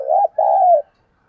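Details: Spotted dove used as a decoy, cooing to urge wild doves to fight and come in; a short hollow coo then a long steady low coo that sags slightly at its end.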